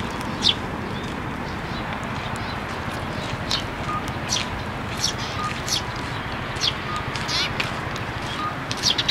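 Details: Sparrows crowd into a plum tree at a Tenmangu shrine to be given food, 12 May 2023: scattered bright chirps and brief twitters, several birds calling irregularly, over a constant low background noise.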